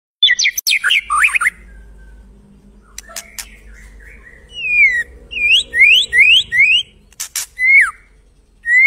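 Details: White-rumped shama master song, used to prompt other birds into singing: sharp mixed notes, then a run of clear rising and falling whistled slurs repeated about once a second, with a quiet background.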